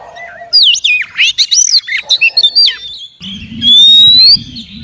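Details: Female Oriental magpie-robin singing to stimulate males: loud varied whistled phrases with sweeping notes, ending in a long rising pure whistle over a low hum.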